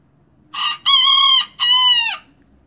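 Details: Young miniature rooster that has just started crowing since being brought home, crowing to mark territory: a brief opening note, then two longer, level, strongly harmonic syllables, the last bending downward at its close.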